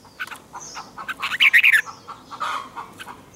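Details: Red-whiskered bulbul morning training song in the 'double twisted' style: scattered short chirps build into a brief burst of loud, tightly twisted warbling notes, then softer calls return.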